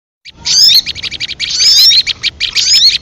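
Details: Leafbird lure call used for trapping birds: dense, fast chattering of high, sharp notes with rapid whistled slurs, in bursts about a second long separated by brief gaps.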